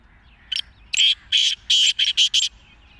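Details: Black francolin, known as kala teetar chakari wala, giving one loud harsh phrase of six rasping notes that start hesitantly and then run quickly together over about two seconds, in a quiet setting.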